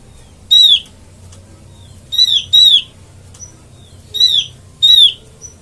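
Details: Lure call of the Oriental white-eye for trapping birds: bright high whistled notes curving downward, five in under six seconds, some in close pairs, with faint short peeps between.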